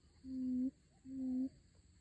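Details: Crested partridge (puyuh hutan) calling: two low, smooth whistled notes, each held about half a second with a faint upward turn at the close, separated by a short pause; otherwise quiet.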